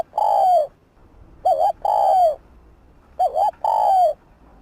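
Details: Spotted dove coo meant to prompt a bird to respond: two phrases, each a brief warbled note then a long, mellow, gently descending hoot, separated by about two seconds of quiet.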